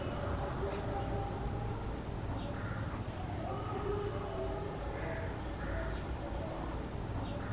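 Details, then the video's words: A female Oriental magpie-robin singing in a backyard in West Bengal, India, in spring or early summer, gives two thin, high, downslurred whistles about five seconds apart, with softer lower warbled notes between, over a steady low rumble. "[Bird Calls] Oriental Magpie Robin"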